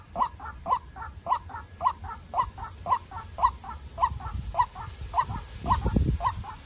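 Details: Decoy White-breasted Waterhen, young, challenging a wild bird: a long run of rhythmic nasal notes, strong and weak in alternation at about two per second, with low thuds toward the end.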